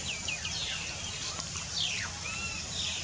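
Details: Plaintive cuckoo, a low-elevation species heard constantly through summer in India, gives a few clear, downslurred whistles and one long falling note over a steady high hiss with faint chirps from other birds.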